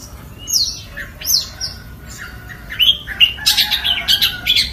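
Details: Long-tailed shrike singing a varied phrase. It opens with thin whistled slurs, some rising and some falling, then moves into rapid, harsh chattering notes packed close together. There is no other clear sound.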